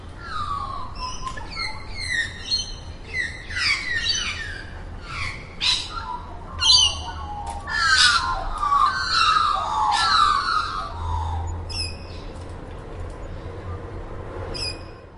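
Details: Magpie calling, from a set of Australian and black-billed magpie recordings: a run of quick downward-sweeping harmonic notes, then a rich warbled passage of sliding, gurgling tones before trailing off into sparse high chips.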